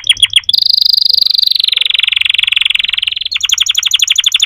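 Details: Song canary with fast trilled phrases: a few separate notes, then a long rapid rattling roll held for nearly three seconds, then a quicker chopped trill near the end.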